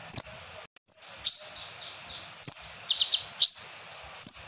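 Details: Asian glossy starling lure song filled with kapas tembak phrases. High whistles sweep up, and some notes are stretched into thin level tones, broken by brief chip bursts and one short silence.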